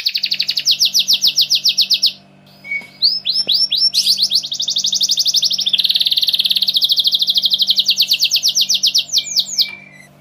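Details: Caged Giboso Español canaries: a fast rhythmic trill, a brief pause, then swooping notes leading into a long, dense buzzing roll, over a low steady mechanical hum.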